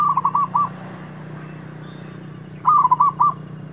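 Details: Zebra dove lure call used while trapping wild doves: a stuttering phrase of quick coos, a silence of two seconds, then a second similar bubbling phrase ending on a separated note.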